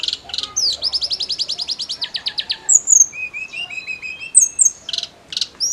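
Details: Snowy-browed flycatcher in full song, used to excite other songbirds: a fast rattling trill of evenly repeated high notes, then varied thin whistles and sharp high chips.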